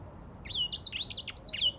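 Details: Brief snatch of grey singing finch song: a few quick whistled slurs, rising and dipping, after a short silence.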